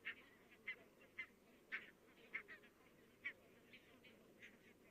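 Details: A distant flock of many barnacle geese in Estonia, 22 October 2017, gives short, yapping, dog-like calls, irregular and overlapping, several each second, over a steady low background hiss.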